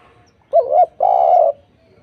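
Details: Spotted dove (tekukur) lure song used to prompt other doves to sing back: two loud low cooing notes, a short wavering coo then a longer steady one, in a quiet setting.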